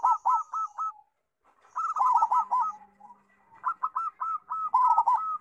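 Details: Loud-voiced local zebra dove singing steadily, used to teach young doves: short bursts of four or five clipped cooing notes separated by brief pauses, with a second voice overlapping in the louder middle phrases.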